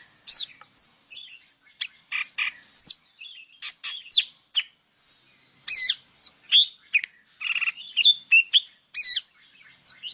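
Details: Vietnamese golden-fronted leafbird, whose song serves to lure birds into traps, pours out a long, varied sequence of high chirps, whistles and harsh buzzy notes with barely a pause, clear and free of other sounds.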